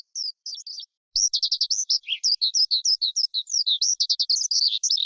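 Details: Skylark singing: a few separate high whistled notes, a short pause, then a fast, tumbling series of buzzy trills and slurred chirps.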